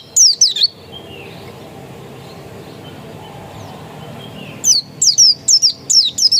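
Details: Wild-type dakun Oriental white-eye singing high, thin, downward-sweeping twitters, a short burst first, then a long quiet pause before a rapid string of paired chirps.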